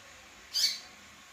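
A female Double-collared Seedeater gives one brief, harsh, high-pitched note against a faint background hiss.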